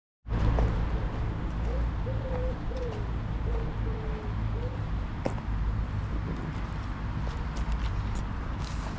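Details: Greylag geese at Pearson Park, Hull, England, recorded on 22 August 2021 with a GoPro Hero9: a run of short, flat, nasal honks in quick succession, then quieter, over a steady low rumble of background noise.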